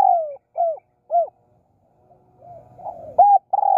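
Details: Spotted dove calling during Thai decoy luring: short, low, hooting coos, three spaced notes, then a pause with faint rustling and soft murmuring, then louder clipped coos to the end.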